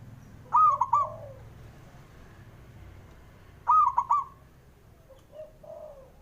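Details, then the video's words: Male zebra dove coo played to get slow-singing birds going. Two sharp three-beat phrases about 3 seconds apart, followed near the end by a faint, low, drawn-out coo from another dove. "JENIS SUARANYA🔊 PALING BANYAK DI CARI UNTUK PENDOBRAK PERKUTUT MALAS BUNYI"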